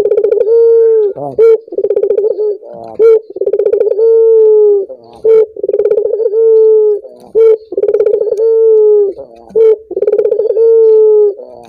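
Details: Cooing Barbary dove, played to get other doves singing. Steady series of phrases, each a clipped note, a rolling pulsed stretch and a sustained even hoot, repeated about every two seconds in a quiet room.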